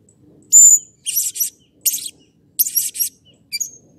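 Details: Blue-crowned hanging parrot, excited and agitated, used as a lure to make other birds call often: a sharp high whistle, then three bursts of shrill buzzy chattering notes about a second apart, and a short final squeak.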